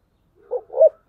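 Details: Spotted dove of the "thổ sấm" voice style giving short low hollow coo notes, two soft rounded syllables and the start of a third, no other sounds.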